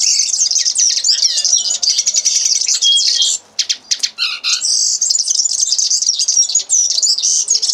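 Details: Common linnet singing: a fast, continuous twittering warble high in pitch, mixing rapid chirps, trills and buzzy notes, with a brief break of scattered clicks and a few lower slurred notes midway before the twitter resumes.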